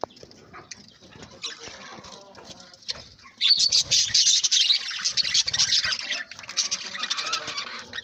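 A budgerigar chatters in dense, scratchy chirps and warbles that grow louder midway.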